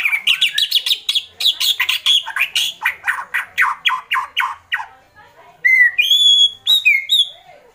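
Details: White-rumped shama, agitated, making kretekan: about twenty fast, harsh, crackling notes repeated steadily for five seconds, then a pause and a few clear, high whistled phrases with rising inflection.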